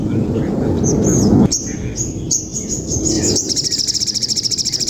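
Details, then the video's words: Songbird in a long fierce fight, used as training material: scattered high chirps give way to a rapid pulsing high trill at the end, with loud low rumbling noise beneath throughout. "Sogon materi kekinian gereja tarung panjang sadis"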